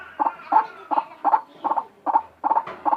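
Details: White-breasted waterhen giving an unusual, strange-sounding call: a quick series of harsh, croaking notes repeated about three times a second, each burst short and grating, with a low background hum.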